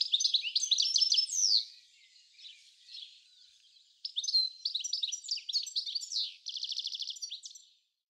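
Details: European goldfinch visiting a garden in Uddel, the Netherlands, on 10 April 2013: loud twittering phrases, a soft stretch, then renewed chirps and a fast buzzy trill.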